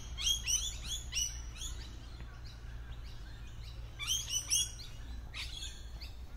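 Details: Lorikeets hidden among tree foliage give bursts of high, rising, harmonic chirps in quick clusters, with a pause mid-way before another flurry and a harsher note near the end.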